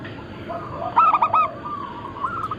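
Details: Local zebra doves of a Bangkok-cross line, recorded as a massed group for luring and as a training model for other birds. A short burst of quick stuttering coos rises above softer overlapping cooing and a steady background hiss.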